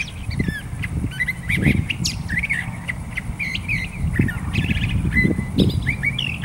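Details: Curve-billed Thrasher singing a jumbled series of short whistled and chattering notes, some slurred, against a background of low rumbling noise.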